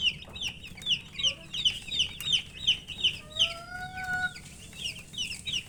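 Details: Baby poultry chicks calling out of thirst for water, loud high downslurred peeps in a regular series of roughly three per second, with a long steady whistled tone and its higher partner sounding briefly partway through.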